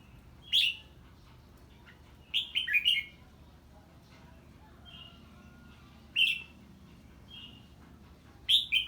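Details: Red-whiskered bulbul singing in the 'ché' style on hearing an unfamiliar bird: short, bright warbled phrases of two to four quick notes, separated by pauses of one to three seconds, over a low steady hum.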